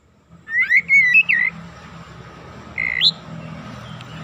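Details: Singing Oriental magpie-robin, recorded as a lure to excite other birds, delivers a quick cluster of clear whistles with bending upward slides, then a single rising whistle after a pause, against faint background hiss.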